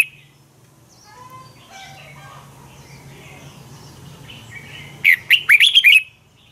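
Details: Red-whiskered bulbul fighting song, used for training birds to sing: a single loud burst of quick warbled notes near the end, after several seconds of faint distant chirps and low hum.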